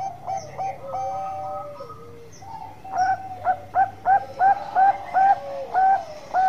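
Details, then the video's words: Bangkok-type zebra dove with a long song: a few soft drawn-out coos, then a run of short, evenly spaced hooting notes with a slight upward flick, repeated roughly every half second. "Perkutut Bangkok Gacor Suara Panjang Istimewa"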